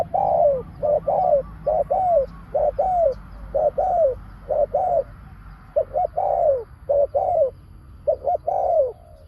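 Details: Spotted dove serving as a lure for wild doves calls steadily in the pak khruen style, a run of short stuttered coos each linked to a longer downward coo, over soft background noise.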